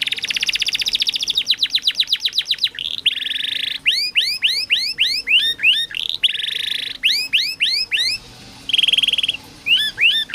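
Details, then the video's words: Canary song for lazy or silent canaries to learn from: a long chattering trill of fast strokes, then bursts of rising whistled sweeps, buzzy rolls and short gaps. "KENARI malas bunyi, Terapi burung macet/susah bunyi masteran kenari"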